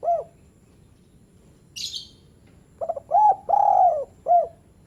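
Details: Spotted dove call used to prompt lazy doves to call: soft, hollow cooing phrase of a few short notes followed by a longer drawn-out coo and a final short note, with a brief rustle of wings earlier.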